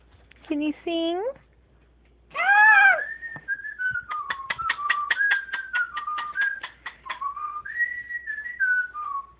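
A Moluccan cockatoo chatters in speech-like bursts, a loud raspy squawk, then a string of quick clicking whistles wavering up and down, indoors.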